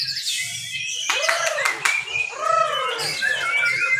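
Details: White-rumped shama, a caged contest bird at a training session, singing loudly and insistently: varied whistled and chattering phrases with rising and falling slurs, some harsh buzzy notes, and a low rhythmic background hum throughout.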